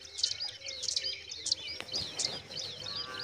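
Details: Baby pipits in a nest chirp in quick high squeaks at irregular intervals. The background carries rustling, low rumbling noise and a steady thin whine.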